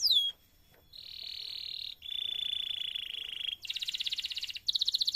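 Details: Canary in full, long song used as a tutor recording to prompt other canaries: a high falling slide whistle, a pause, then a steady buzzy tour, a smoother sustained tour, and two fast rattling trills.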